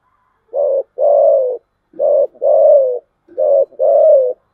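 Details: Spotted dove cooing in the 'giọng thổ chiêu gù' style: three low, mellow phrases, each a short hollow coo followed by a longer drawn-out, slightly falling coo, spaced evenly about 1.4 seconds apart.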